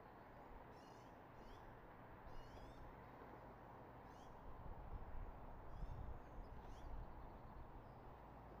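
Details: Eagle at a nest in Redding, recorded by a nest camera on 24 March 2022 at 06:34 in the morning: thin, high, stuttering chatter calls in short bursts, repeated several times over steady low rumbling background noise.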